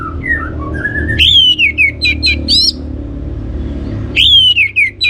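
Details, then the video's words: Orange-headed thrush song used as a lure to get other birds singing: loud whistled phrases with sharp descending slurs and quick high chirps, a pause, then the phrase begins again, over a low steady hum. "ANIS MERAH Cor Suara Penggoda Membuat Burung Kenceng Jadi Ngeplong Lanjut Teler"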